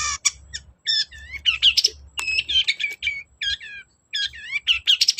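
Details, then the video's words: Long-tailed shrike singing to lure reluctant birds into song: hurried, wavering warbled whistles and rolling chirps in dense phrases, broken by brief silences and sharp ticks. "BURUNG CENDET GACOR DOR || Pancingan cendet males bunyi agar nyaut gacor"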